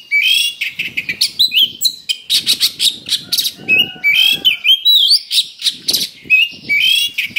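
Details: Kacer (Oriental magpie-robin) in harsh fighting song meant to provoke rivals: a continuous stream of loud chattering bursts, sweeping whistles rising and falling, and a brief low drawn tone in the middle.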